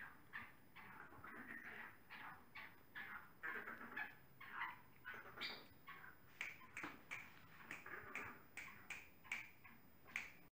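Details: Black francolin calling: faint, harsh, scratchy bursts repeated in a steady rhythm roughly every half second, with a thin electronic whine in the background.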